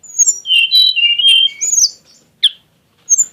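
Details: Short phrase from a tledekan gunung: a warbling, wavering whistle followed by a rising-falling slur and two isolated sharp notes, from its exotic-style song with showy shots.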